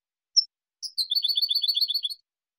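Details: European goldfinch song intended to train juvenile birds, clean competition recording: one sharp high note, a short pause, then a rapid even run of tinkling twittered notes for over a second, in silence otherwise.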